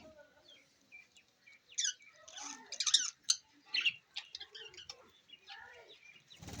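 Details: New budgerigars, filmed 11 June 2024, chatter in quick, high, scratchy warbles and chirps, busiest in the middle seconds, with soft rustling between bursts.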